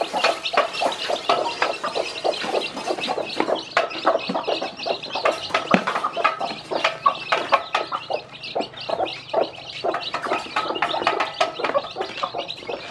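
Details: Mother hen with many newly hatched chicks, teaching the babies to eat; dense, rapid clucks and short chick peeps overlap continuously, with scratching and pecking clicks throughout.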